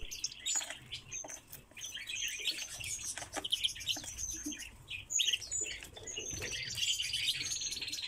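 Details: Captive-kept Pallas's rosefinch calling: a busy stream of short, high chirps and thin whistled notes, overlapping as if from several birds, with some light rustling.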